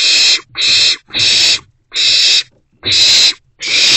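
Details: Owlets, a trio staying inside their nest box in the morning of 13 April 2024, produce six loud, rasping hisses, each about half a second long, spaced by brief silences.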